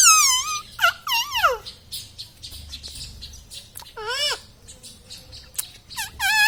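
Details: Talking green ringneck kept as a pet, a rose-ringed parakeet known for mummy, papa and radhe radhe, gives several separate swooping, harmonic phrases spread across the recording, with soft chirps between them.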